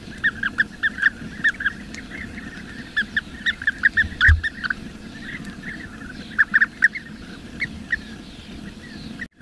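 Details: Bee-eaters in the wild give short, rolling, mid-pitched chirps in loose bursts, several birds calling over each other with a low background hum.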